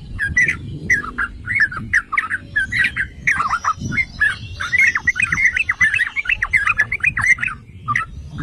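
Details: Yellow-vented bulbul song meant to make other bulbuls sing: long stretch of lively, bubbly warbled phrases, growing denser halfway through, with low rumble in the background.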